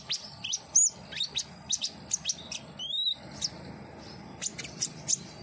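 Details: Common iora song meant to stimulate a captive bird to sing: a rapid run of sharp, high chirps and flicked notes, broken by one longer arched whistle near the middle, then scattered thin tweets.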